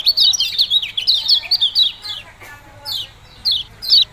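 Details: Yellow-bellied prinia in "ciak-ciak jos" mode: a fast run of squeaky, falling chirps over two seconds, then spaced single chirps every half second toward the end.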